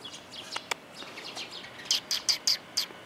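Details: Sparrows coming to be fed, 4 December 2021: soft chirps at first, then a run of five loud, sharp high chips spaced about a fifth of a second apart.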